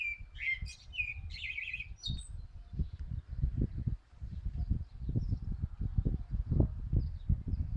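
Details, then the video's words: Common blackbird song with quick mellow fluted phrases and a squeaky high flourish in the first two seconds, then only strong low wind buffeting. "Mirlo cantando"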